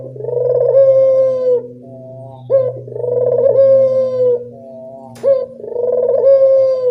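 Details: Evening Barbary dove call used to lure quiet doves into calling: three rolling, purring coos, each led by a short sharp note and spaced about two and a half seconds apart, with a low droning hum behind.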